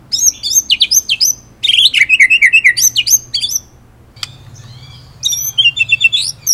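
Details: White-rumped shama, murai batu, singing in the ngerol nembak style. It gives rapid bursts of sharp, high whistles and trills, with a brief pause and one click before another bright, chattering phrase.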